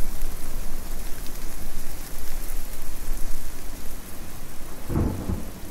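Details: Steady heavy rain pours throughout, with a loud thunder crack and rumble near the end and no animal voices.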